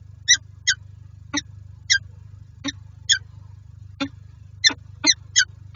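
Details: At a nest box in Lublin, Poland, a peregrine falcon pair meets on 18 January 2023; short harsh call notes spaced roughly every half second, with a steady low hum beneath.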